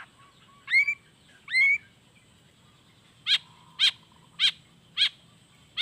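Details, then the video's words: Long-tailed shrike singing in lively 'gacor' style with natural fill notes, meant to prompt quiet shrikes to answer. Two rising whistled notes, then four harsh, scratchy notes repeated at roughly half-second intervals. "SUARA CENDET GACOR ISIAN ALAM"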